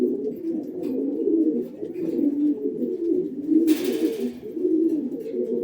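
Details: Red-breasted pigeon cooing indoors: a low, continuous rolling coo with soft pulsing swells throughout, broken once by a brief hissing burst of noise partway through.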